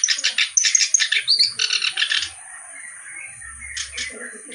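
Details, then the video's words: Reed warbler singing lively, with a good melodic style: about two seconds of rapid, scratchy chattering and one squeaky rising note. It fades to a few soft, scattered notes over a faint low rumble. "BURUNG KERAK BASI GACOR CENGKOK LAGUNYA OK"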